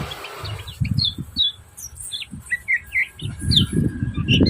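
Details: Yellow-vented bulbul, 'ciak ciak' call used to provoke rival birds: scattered short high chirps and slurred notes at irregular intervals, mixed with low thumping knocks and rumble.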